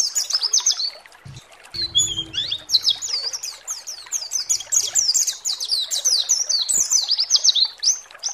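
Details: High-pitched white-eye (pleci) song, used as a lure to make other pleci agitated and sing: dense, rapid twittering of thin slurred notes running for several seconds, with short low thumps and a faint tone near the start.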